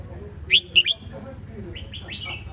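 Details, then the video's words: Red-whiskered bulbul singing brief chirpy notes: three sharp, bright whistles, then a softer run of quick slurred notes, over low background rumble. "นกกรงหัวจุก (Red-whiskered bulbul)"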